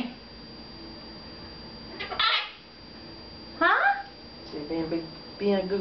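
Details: Male red-fronted macaw kept as a pet, chatting to its owners indoors; two or three separate speech-like utterances with falling-then-rising tones, one harsh upward-sweeping syllable, over a quiet room hum.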